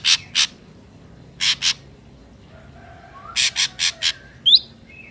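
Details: Wild Ashy drongo song: paired harsh buzzy notes, a second pair, then a soft rising whistle, a quick run of four rasps and a sharp upslurred whistle ending in a brief note.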